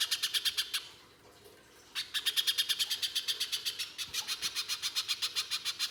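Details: Lure song of a pijantung pisang spiderhunter, harsh and full: quick sharp chips, a second-long pause, then a loud fast run that slowly fades.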